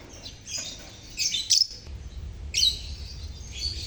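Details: Chirping lovebird colony, meant to make silent lovebirds sing; high scratchy squawks in short clusters roughly every second, with a faint hum underneath.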